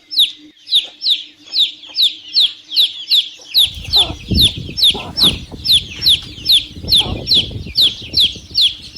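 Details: Chicks giving a steady stream of shrill, descending peeps, about twenty in all, with low rumbling handling noise joining midway.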